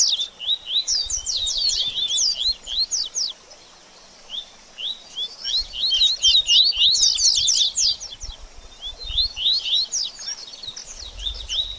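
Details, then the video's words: Double-collared seedeater giving baderninha song, meant to warm up a bird after moulting: bursts of rapid, buzzy high chattering, a pause of about two seconds, then longer excited twittering phrases with faint low thumps. "BADERNINHA DE COLEIRO Top Pra Esquentar Seu Coleiro Pós Muda De Penas!!!"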